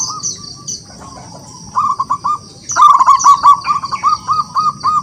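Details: Wild local zebra dove singing to draw rivals into song: scattered single coos build into an even, rapidly repeated series of short, hooked low notes. High chirps from other birds sound alongside.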